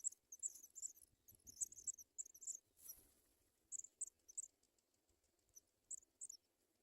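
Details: African pipit chicks in the nest being fed white butterflies by adults: bursts of very high, thin, squeaky notes in quick runs, pausing near the middle, with faint rustling below.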